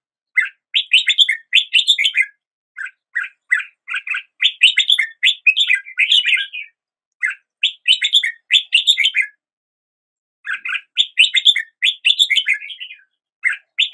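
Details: Long sequence of red-whiskered bulbul song: rhythmic bursts of quick, rising chirped notes grouped into phrases of five to ten, with pauses of about a second between groups.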